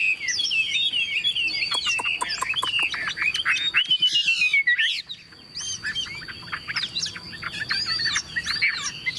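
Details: Chinese Hwamei, a tame caged bird newly acquired, singing: fast jumbled chirps and sweeping whistles, a long descending whistled glide, brief pause, then more varied chattering phrases.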